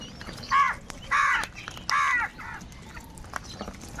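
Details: Harsh cawing of crows fighting for food, three strong hoarse calls about half a second apart, followed by a quieter fourth and background murmur.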